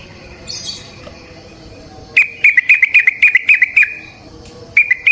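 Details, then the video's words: Trucukan (yellow-vented bulbul) sound used to lure other bulbuls into song: a faint high squeak, then a burst of rapid chattering whistled notes lasting about two seconds, and a brief restart. "Trucukan GACOR ngalas ROPEL PANJANG suara alam AMPUH buat pancingan"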